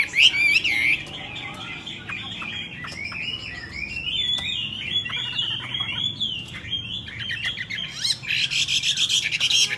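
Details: Myna singing with other wild birds: a continuous jumble of chirps, squawks and whistled notes, a loud rising whistle at the start and dense harsh chatter near the end.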